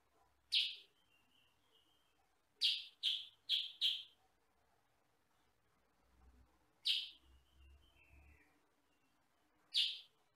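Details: Loud kutilang sutra, a sooty-headed bulbul, used for tutoring other birds: lone sharp chirps separated by pauses, plus a rapid run of four harsh notes, with faint thin twittering between.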